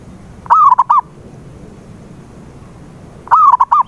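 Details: Perkutut, the zebra dove, in a recording used to make a silent bird sing: two resonant coo phrases nearly three seconds apart, a rising lead note then a brisk triple of short notes, background otherwise quiet.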